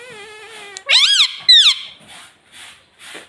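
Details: Pet green ringneck parrot taught to say mummy and papa, giving two high, bright, arching two-part syllables with rich overtones, a brief speech-like word, followed by softer breathy hisses in a small indoor room.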